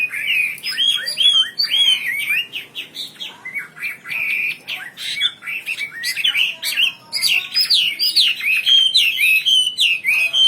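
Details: A wambi bird in full gacor song: ten seconds of rapid, jumpy whistled notes strung into a restless, energetic warble with brief pauses and many sharply rising and falling syllables.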